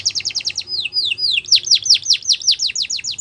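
A Belgian canary sings a rapid run of bright, descending whistled notes, first quick trills, then slower slurred sweeps, then another fast repeated series.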